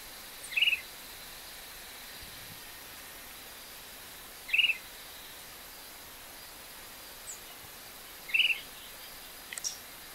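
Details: Short-crested flycatcher recorded in the city of Ouro Preto, Minas Gerais, giving brief, clear, fairly high call notes spaced about four seconds apart over steady background hiss.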